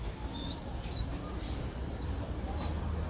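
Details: Young Streak-eared Bulbul, six days old, in Ubon Ratchathani, Thailand, 8 April 2023, uttering clear thin whistles that rise and hook upward, repeated about twice a second over a low steady hum.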